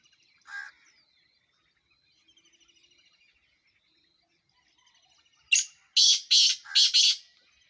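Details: Black francolin (kala teetar) calling: a few faint, thin chirps and a soft note early on, then a loud, harsh burst of four rasping, grating notes in quick succession near the end.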